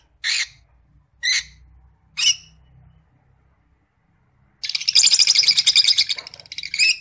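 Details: Creamino Rosy-faced Lovebird in song: three evenly spaced short chirps, a pause, then a loud, rapid buzzy chatter of pulsed notes for about two and a half seconds.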